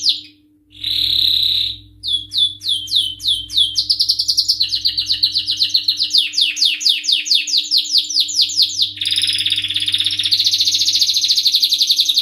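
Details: Male canary in full excited song: a buzzy opening note, then long runs of rapid repeated high syllables changing tempo and pitch, ending in a dense fast buzzing trill; a faint low hum runs behind.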